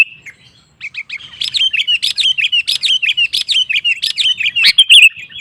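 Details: Sooty-headed bulbul in full, lively song to draw other males into singing: after a soft opening note, a steady fast series of identical bubbly whistled phrases, about four a second.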